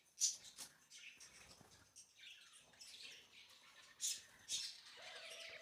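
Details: Budgerigar (Melopsittacus undulatus), chick call.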